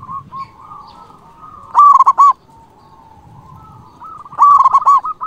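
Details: Local Zebra dove singing to rouse rival birds; two loud bursts of rich cooing notes, separated by a long, soft, level murmur of coos.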